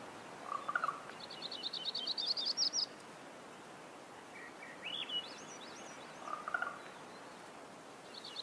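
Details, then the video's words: Crowned warbler singing: a fast, rattling series of high notes, then scattered phrases of sharp, rising and falling chips. Short lower warbled bits are heard in between, against a constant hissy outdoor background. "La Reinita Coronada"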